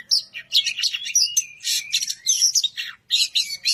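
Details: Oriental magpie-robin challenging a rival in song: dense, harsh chattering phrases blended with thin high whistles, coming in short loud bursts with a clear break near the end.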